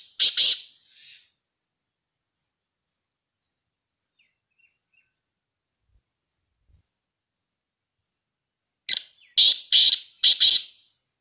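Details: Black francolin (kala teetar) heard in two bursts: a grating double note at the start, then after about eight quiet seconds a series of four harsh, rasping notes delivered rapidly and evenly.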